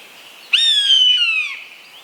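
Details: A single long mewing cry from an Eastern buzzard, a large bird of prey. It begins abruptly and glides gently downward for about a second with strong overtones, then fades against quiet background noise.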